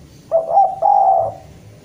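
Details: Javanese spotted dove calling a rival with one phrase: a few rapid, throaty coos sliding into a longer, even, husky note, then quiet.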